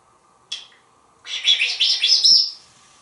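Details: African grey parrot, a talkative pet bird kept in a home in Texas, giving a short sharp note then a run of loud, high, rapid chirps and squeaky whistled notes lasting about a second, indoors with a faint steady hum.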